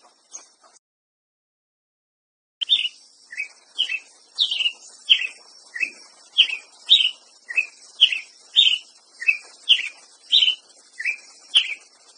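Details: Ruby-crowned Tanager song begins after a brief silence: a long steady series of about sixteen short, sharp, downslurred chirps, one roughly every half second, alternating slightly higher and lower notes, over a faint high hiss.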